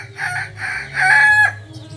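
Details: Native Kukuak Balenggek rooster from Solok, West Sumatra, jalak type, giving a multi-part crow: two short harmonic notes, then a longer sustained note sliding slightly downward, over steady low hum.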